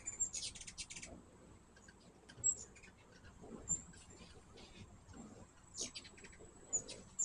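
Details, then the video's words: Hummingbirds at a backyard feeder giving quick bursts of high, dry chipping notes, with thin squeaky tones scattered through the clip and soft rustling below. "My first hummingbird video with natural sound."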